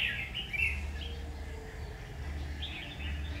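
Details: Red-whiskered bulbul trapped on 7 August 2019 sings a jumbled, bubbling warble at the start and another brief chattering phrase near the end, over a persistent low hum.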